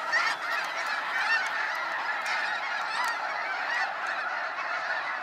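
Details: Waves of snow geese on a sunset fly-out at Sacramento National Wildlife Refuge: a dense, unbroken chorus of nasal, high honks from a huge flock, overlapping constantly with no pauses.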